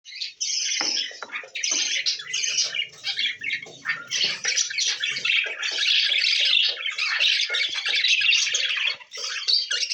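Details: Budgerigar chicks in a breeding colony give harsh, raspy begging squawks in rapid, continuous bursts while being fed by their parents.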